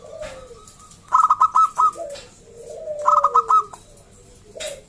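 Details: Zebra dove of local stock, a loud and clear singer used to lure other doves into calling. Two rapid phrases of about five clipped, ringing notes each, with lower sliding whistles between them.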